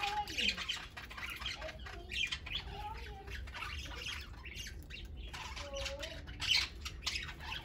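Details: Several pet parakeets lounging and playing; harsh squawks and chirps in repeated bursts, with brief whistled glides between them and a steady low room hum.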